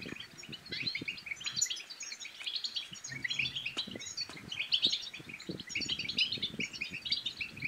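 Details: European goldfinch bitbita song meant to provoke a quiet goldfinch into singing and to rouse birds for mating: unbroken chatter of high liquid notes, twitters and brief buzzes, with scattered low taps and light background noise.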